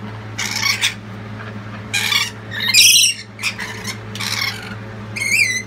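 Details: A lorikeet family calls loudly, supporting the youngest chick as it leaves the nestbox: harsh, screechy squawks about once a second, with shrill, trilling notes near the end, over a steady low electrical hum.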